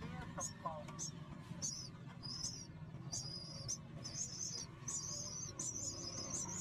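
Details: Three hungry nestlings waiting for food give high, thin, squeaky begging calls in short repeated bursts, about one and a half per second, over a low background rumble.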